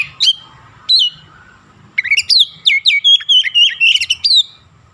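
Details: Trained with Javan myna phrases, an oriental magpie-robin gives two separate down-slurred whistles, then a rapid run of about ten sharp, bright whistled notes in quick succession.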